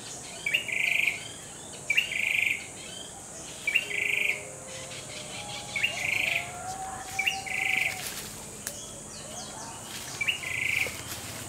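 A Grey-backed tailorbird sings loud, sharp phrases repeated about every one and a half seconds, with faint low calls from other birds behind.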